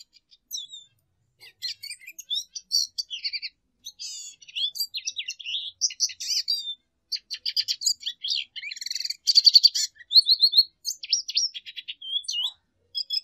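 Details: Lesser goldfinch delivering a varied, halting song of high chips, short whistles and buzzy rattles, phrases coming in irregular bursts that grow louder and denser toward the middle, in a quiet setting.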